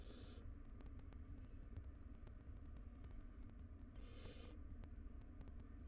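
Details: Wild barn owls at a nest box, adults with three young; two short breathy hissing screeches, one at the start and one after four seconds, over a constant low hum.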